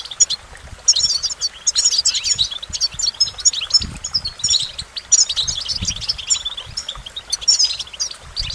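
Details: Goldfinch singing a continuous stream of high, bright twitters and liquid chirps, quick and jangling, delivered in tight clusters with short breaks.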